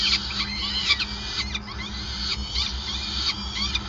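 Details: Peregrine falcons calling at their Groningen nest on 5 May 2020 while being fed: continuous shrill, harmonic squeals and rising-falling slurs crowd together, with a constant low electrical hum underneath.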